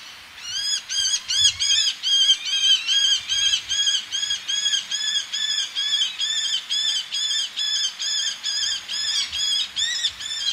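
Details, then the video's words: A male Eleonora's falcon by the sea gives a long run of harsh, nasal, rasping notes, about two per second and evenly spaced, while females call from the ledges nearby. "Calls From A Male With Females Calling From Ledges"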